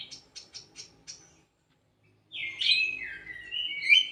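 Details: In an aviary, a kidangan kaso kaso gives five quick sharp chips, falls silent briefly, then launches into a loud, fast twittering warble of high slurred notes.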